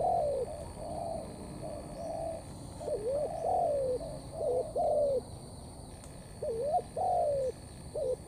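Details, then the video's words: Wild-caught spotted dove singing thổ pha cấn sấm coos: soft, low, slightly echoing notes leading into bouncing double notes and long falling coos, phrases about every three to four seconds. "Bổi Thổ pha Cấn sấm"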